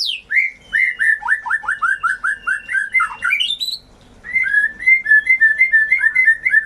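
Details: White-rumped shama song used as a lure to spur birds that have stopped singing, gone mute or lost form: rapid series of loud downslurred whistled notes, twittering overtones, a brief pause, then another run of repeated clear whistles.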